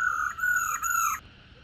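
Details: Calling female black-throated laughingthrush, the 'ro' sound used to excite caged males: a slightly raspy note run split into two or three flat segments over about one second, ending with a brief downward slide.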